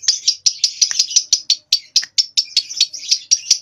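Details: Two-month-old lovebird learning to ngekek, nyeklek style, delivering a fast, loud run of shrill repeated chirps, about five each second, without pause.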